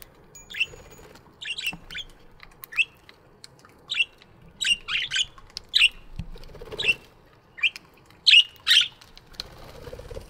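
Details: Budgies in a morning aviary chirping steadily, short bright notes repeated every half second or so in loose series, with a low background hum and occasional rustling.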